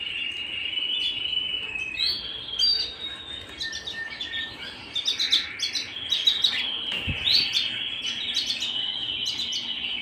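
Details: Domestic canary singing indoors, a long continuous rolling trill with clusters of rapid high, clicking notes layered over it and a brief low thump partway through.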